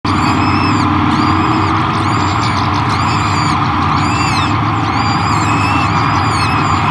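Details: Peregrine falcon at its Great Spirit Bluff nest in 2023, feeding new hatchlings. Arched, harmonic, wailing calls repeat about every second over a steady low hum and background rumble.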